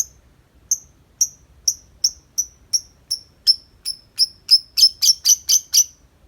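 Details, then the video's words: Tame lovebird, out of its cage, in 'ngetik' typing-like chatter: a steady series of short, high ticking chirps that speeds up and grows louder toward the end. "Lovebird Jinak Ngetik Panjang Nonstop 10 menit di luar Kandang"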